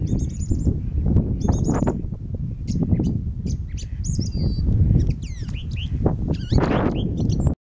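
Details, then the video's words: Dusk song of a Eurasian reed warbler by Blakeney Freshes, early April 2013, around 8 pm; high buzzy trills, then a jumble of swooping whistles and chirps, with strong wind noise throughout. "Reed warbler?"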